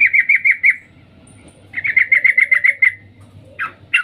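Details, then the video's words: Calling female sooty-headed bulbul summoning the male: five fast 'cuk' notes, a short silence, a longer run of about eight evenly spaced notes, then two harsh rasping notes to finish. "Suara trucuk Betina memanggil Jantan Cuk cuk"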